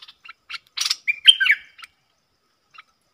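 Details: Wild Puff-backed Bulbul, big-voiced, replying to a caged decoy bird while staying away from the cage. A few clipped notes lead into one brief, loud, gurgling, slurred warble.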